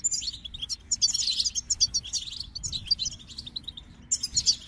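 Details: Goldfinch singing a fast, liquid twittering song of high tinkling notes mixed with short buzzy trills, delivered in bursts, over a low background rumble.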